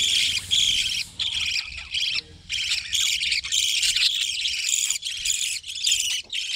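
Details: Crowded chatter of budgerigars kept as a breeding colony, loud scratchy warbles broken by short gaps, with a faint low tone near the middle.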